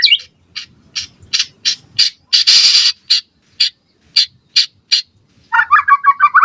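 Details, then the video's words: White-rumped shama on a lure recording intended to make other shamas respond: a series of harsh, scratchy notes about three per second, one long rasp in the middle, then a quick burst of fluty rising whistles at the end. "Pancingan Murai Batu Gacor Cepat RESPON Langsung NYAUT Auto BONGKAR Buat Masteran Suara Burung Murai"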